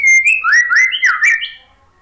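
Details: White-rumped shama (murai batu) song used as a prompt to get a stressed, silent shama to sing: a loud, clear whistled phrase of rising and falling slurred notes, sliding up at the end, with no other sounds.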